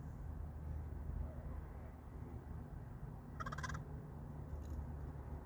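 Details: A crow that visits almost daily at a workplace gives an unusual, never-before-heard sound: one short, harsh, nasal call, then a fainter echo of it a second later, over a steady low rumble.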